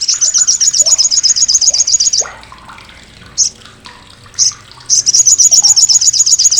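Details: Two long bursts of loud, high, machine-gun chatter from an olive-backed sunbird frame a quieter gap with brief sharp squeaks. The harsh, sharp chattering serves as a model for contest birds like white-rumped shamas and orange-headed thrushes.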